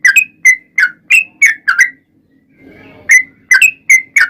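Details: Bulbul lure song from a yellow-vented bulbul: six bubbly slurred notes, a pause of about a second filled with a faint low murmur, then five more quick chirps.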